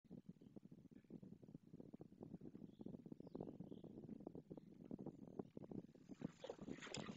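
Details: White storks, a male and a female, greeting each other at their nest in Madrigal de las Altas Torres as the male arrives, shortly after the second egg was laid; fast, dry wooden rattling clatter runs continuously, with faint rustling near the end.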